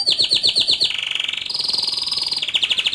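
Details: Canary delivering rapid rolling trills: quick pulsed notes that drop to a lower steady buzz, then a higher sustained trill, finishing with renewed pulsing notes, all loud and continuous.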